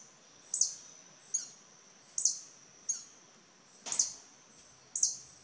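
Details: Wild violet sabrewing in Costa Rica, aggressively vocal while defending its territory. Shrill, clipped high chips come about once per second, six in all. One brief low thump is heard near the end.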